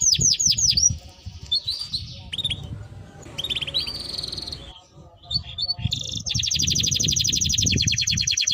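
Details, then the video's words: Timbrado canary melody: repeated swooping notes and chirps, then a long sustained rapid trill, over low rumbling background noise. "Canary Bird Singing Timbrado canary singing beautiful melody"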